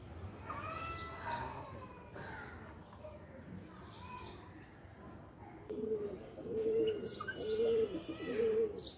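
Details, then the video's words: Pigeons playing in a loft: after a stretch of mixed chirps and background noise, a run of low, throaty coos repeats roughly once a second, growing louder toward the end. "Pigeon are playing in loft"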